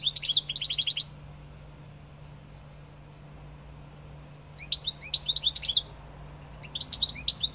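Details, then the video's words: European goldfinch singing: bursts of bright, rapid twittering and buzzy trills high in pitch, one phrase at the start and two more near the end, separated by several seconds of quiet with a low steady hum beneath. "Goldfinch singing -Stieglitz song- Carduelis - Jilguero - Щегол - Kадънка - طائر الحسون"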